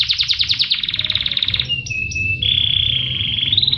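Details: Tutor song of a canary: rapid rolling trill of repeated notes, then long flat sustained whistles changing pitch in steps, over low background noise.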